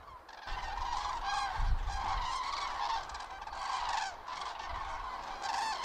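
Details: On 31 October 2022, during autumn migration over the Lahn-Dill district in central Hesse, Germany, in unfavourable weather, a flock of common cranes gives overlapping, rolling trumpeted calls, many at once, over a low rumble of wind or distant traffic.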